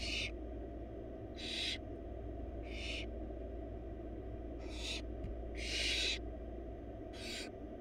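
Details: Wild barn owl chicks in a nest box, four siblings being fed a large rabbit by the female, give repeated harsh hissing screeches at irregular intervals, about seven in eight seconds, over a steady low drone.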